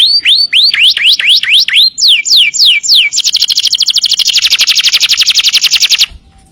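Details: Canary singing vigorously on a master recording for training other birds. It opens with repeated upward-hooked whistles, continues with quick falling slurs, then moves into a long, dense, rapid high trill lasting about three seconds before stopping abruptly.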